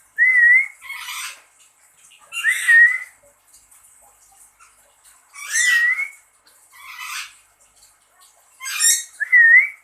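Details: Pet lory calling in reply to its owner: short, rising whistled notes alternate with harsh, raspy squawks, roughly every second or two, in a quiet room.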